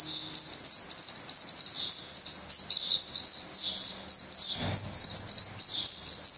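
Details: Nestling Black Redstarts in Portugal, 17 May 2020, feathered and growing quickly; a loud, sustained, high-pitched buzzing chorus of rapid begging chirps with no break.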